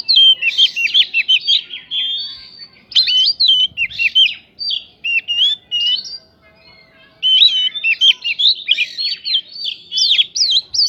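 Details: Oriental magpie-robin lure song carrying prinia imitations to provoke rival birds: two dense runs of bright whistled slurs and trills split by a quiet pause of about a second and a half, in an otherwise clean recording.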